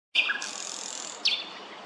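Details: Thrush nightingale singing loudly in a city centre on 25 May: a sharp high note, a short lower phrase, then a long dry buzzy rattle that ends in another abrupt bright note.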